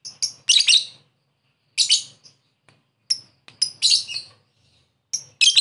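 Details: Lovebird calling a rival, ngekek lure: shrill, uneven bursts of squeaky, high chirps broken by short silences, some single, some in quick clusters.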